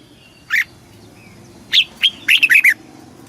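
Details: Red-whiskered bulbul song, southern master style from Thailand, used to rouse caged birds and tutor chicks: an isolated chirp, then after a pause two notes and a fast run of four warbling slurred notes.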